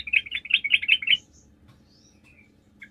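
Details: Sooty-headed bulbul lure song, a chatty 'gacor' recording used to draw other bulbuls into answering: a quick burst of about ten bright, bubbly notes over roughly one second, followed by near silence and a faint closing chirp.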